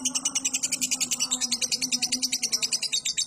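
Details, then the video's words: Caged lovebird song of the ngekek style, a long trill used as a training recording for cage birds. A high, very rapid chattering run of sharp notes repeats about three to four times per second without a break. "LOVEBIRD NGEKEK PANJANG"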